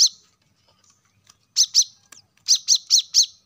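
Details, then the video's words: Plain-throated sunbird recording used to make caged birds sing: a short opening note, a quick pair of sharp high chirps, a click, then a rapid burst of four shrill descending chirps. "kolibri kelapa | wiceh | manggar | cuitan korlap gacor untuk burung agar cepat rajin bunyi gacor"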